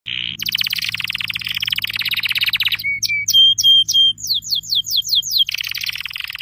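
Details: Canary singing: a fast rolling buzzy trill, then a few clear steady whistled notes, then a run of quick downward-sweeping notes repeated about twice a second, ending in another rapid trill.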